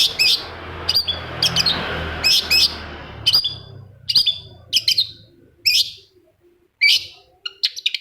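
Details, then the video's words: Long-tailed shrike lure song meant to trigger another shrike to sing: sharp, chattering doubled notes in clustered bursts. A low hum fades out halfway, leaving clean, loud calls. "PANCINGAN CENDET MALAS BUNYI SEKETIKA CENDET LAIN LANGSUNG NYAUT!!! | Singing of shrike bird"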